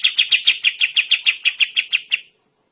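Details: Bulbul, recorded for songbird training, delivering a rapid run of harsh, rattling notes, about six per second, which stops abruptly and leaves silence for the last half second.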